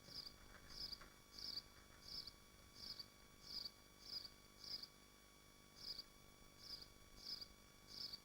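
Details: Nesting swifts in Machynlleth, Dyfi Biosphere, on a livestream nest camera. Eleven sharp, high buzzy chirps sound at slightly uneven intervals of about half a second, with a faint steady hum behind them.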